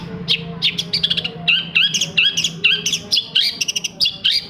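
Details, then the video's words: Long-tailed shrike song used as a lure for silent shrikes. Rapid, chattering phrases of ringing chirps and slurred whistles tumble together in a busy, continuous stream. "SUARA CENDET INI BISA MERANGSANG CENDET MACET JADI RAJIN BUNYI PAGI SIANG MALAM!!!"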